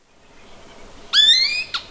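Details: A male Eared Quetzal gives its loud contact call as he approaches the nest in high-elevation mixed-conifer forest of the Sierra Madre Occidental, Chihuahua, Mexico, in August: a single clear, slightly rising half-second whistle, then a brief fainter note.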